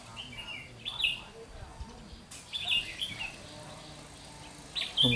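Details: Red-whiskered bulbul used as a decoy to trap wild bulbuls, recorded 30 June 2020: short bright warbled phrases at about one, three and five seconds, with quiet speech and rustling in between.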